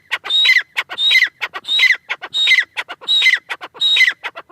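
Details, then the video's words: Teetar francolin repeating a crisp, rasping phrase with a sharp descending whistle, spaced evenly a little under a second apart, six phrases in a row with no other sounds. "Teetar ki awaaz | Teetar sound | francolin teetar sound | Irani teetar ki awaz"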